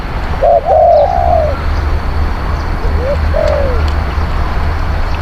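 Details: Spotted dove decoy bird cooing to lure wild doves, praised as a skilled, fierce cooer: a deep mellow drawn-out coo phrase early on, then a short rising note and another slurred coo near three seconds, over a steady low hum.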